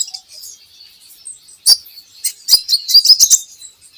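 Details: Kolibri ninja in a training recording meant to prompt singing: soft high twitter, then louder rapid chirps and clicks building in a quick cluster toward the end.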